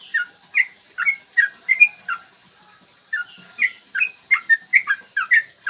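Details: Yellow-vented bulbul delivering its 'ropel' song, used as a lure to make birds sing and fight: bubbling whistled notes in two bursts separated by about a one-second pause, quick and melodious.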